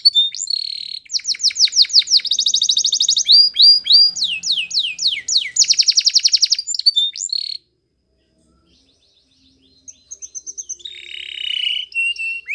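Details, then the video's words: Spanish Timbrado canary delivering training song, bursts of rapid clicking trills and falling whistled sweeps for seven seconds, then a silent gap before softer warbling and a rolling trill resume. "Canary's Most Powerful Song For Training !! Spanish Timbrado Song"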